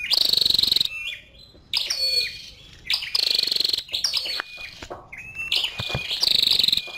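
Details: Female scarlet-backed flowerpecker calling: rapid, high, sharp chirps in repeated bursts about once a second, each followed by short falling whistled notes.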